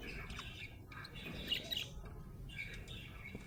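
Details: A happy budgie chirps in quick, rapid chatter, with busy buzzy warbles and squawky notes clustered near the middle and again toward the end, over low background noise.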